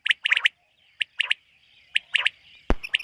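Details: Common quail in a summer meadow in the morning, giving quick liquid three-note phrases, sharp and clipped, repeated about once a second, with a sharp click near the end.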